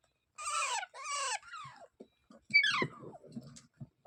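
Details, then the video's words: Parrot making two loud, raspy squawks followed by a falling whistled note, then a sharp descending screech among soft knocks and low thumping handling noises. "Natural Parrot Sounds"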